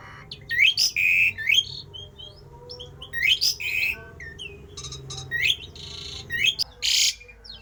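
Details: A Javan pied starling sings a strange, rare song said to spur rival starlings into song: repeated clusters of rising whistles and grating buzzy notes, several loud bursts spread through the recording, ending with a rasping blast.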